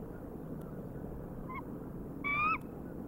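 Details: Bald eagle at the Decorah nest, recorded at night in March: a short faint call followed by a louder, rising, slightly harsh squeal lasting about a third of a second, over steady low background rumble.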